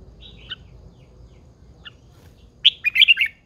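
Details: Mature wild-caught female red-whiskered bulbul, caged, used to spur males; a short whistled note and a few faint chips early, quiet in between, then a quick, lively phrase of five or six sweet, bubbling notes.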